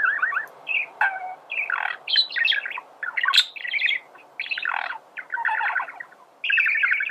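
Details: Male budgerigar singing a song used to teach birds to sing: a busy, chattering warble of scratchy chirps, squeaks and short trills, running in uneven bursts.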